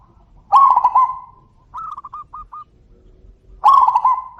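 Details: Zebra dove calling back and forth with a loud voice: two loud rolling, trilled coos open and close the clip, with a shorter, softer run of stuttering notes between them, in an otherwise quiet setting.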